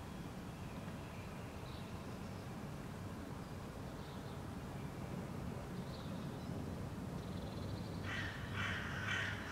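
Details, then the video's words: Hooded Crow calling loudly in the background while a Common Blackbird rubs its prey against a rock, Helsinki, Finland, May 2013; harsh caws burst in near the end after faint distant notes, over steady low traffic rumble. "Loud calls of Hooded Crow (Corvus corone cornix) can be heard in the background."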